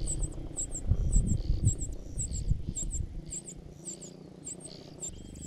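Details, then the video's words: Parasitic cuckoo chick begging its foster parents for food: piercing high paired squeaks in a regular run, about two per second, over a low rumble that quietens halfway through. "Parasitic cuckoos actively open their mouths to grab food寄生的杜鹃鸟积极张嘴抢食"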